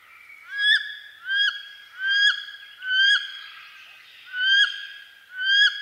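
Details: Wood duck (Carolina duck) from eastern North America giving six rising, squealing whistled calls, each ending in a sharp upward flick, spaced under a second apart over a quiet background.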